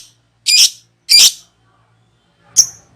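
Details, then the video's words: Lovebird making the ngekek call used for luring birds: two harsh, buzzy screeches about half a second apart, then after a pause a single sharp high chirp. "Pancingan Love bird ngekek"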